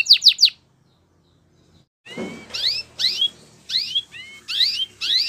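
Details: Canary training song: three quick downslurred high notes, a pause, then a series of bright whistled sweeps, some rising and some falling, with a faint low rustle under the first sweep.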